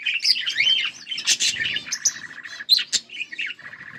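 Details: A pair of pet budgerigars chattering: a fast, continuous warble of squeaky, twisting chirps and whistles, with brief buzzy notes and a few sharp high clicks, all quite close.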